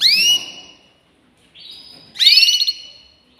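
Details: Canary giving brief bright slurred notes and a rapid pulsed trill, separated by a short pause of near silence.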